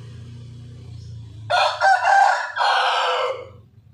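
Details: A white rooster crows sharply against a low droning hum: three loud, raspy segments over about two seconds, the last held and then fading.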